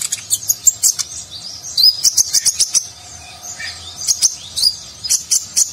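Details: Konin, or kolibri ninja, a nectar-feeding sunbird, singing vigorously in a rich Nagen-style song used to train contest birds: dense bursts of very high, sharp chirps and trills, with quick clicking notes scattered between phrases.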